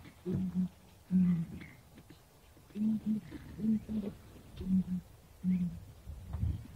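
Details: Southern Ground Hornbill in Kruger National Park, South Africa, giving deep, hollow booms, often in quick pairs, repeated every second or so against a quiet background.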